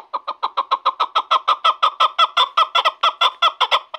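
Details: Chukar partridge from Shahritus, described as a fine bird for hunting, giving a fast, steady series of harsh chuk notes, about five per second, each with bright overtones, continuing unbroken for four seconds.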